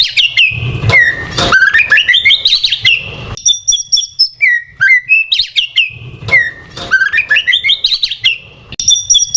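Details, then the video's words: Lure song of a white-rumped shama, meant to provoke birds: rich varied whistles, rising slurred phrases, quick high chips and pauses between bursts, all bright and loud. "PANCINGAN MURAI BATU, BIKIN EMOSI AJA"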